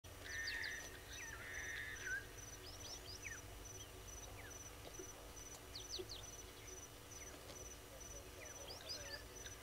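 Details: Helmeted guineafowl at Gowrie dam waterhole, Djuma Game Reserve, Sabi Sand Wildtuin, South Africa, in the morning of 25 April 2022, recorded by a fixed live camera: two harsh, buzzy bursts in the first two seconds, then scattered chirps from other birds and a steady pulsing high tone.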